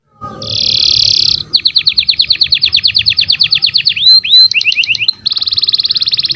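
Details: Canary song used as tutor material for young canaries: a loud buzzy high trill, then a fast run of rising sweeping notes, a few swooping slurs, and a final rapid buzzy roll, all high-pitched.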